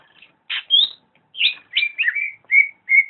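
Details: Gacor singing by a greater green leafbird: a few spaced phrases of bright whistles, a rising slur, then twisting double notes ending in level, even whistles.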